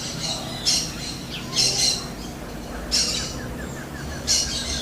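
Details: Smooth-billed ani calling in the wild with four harsh, raspy squawks at irregular intervals of about one to one and a half seconds, over soft background hiss.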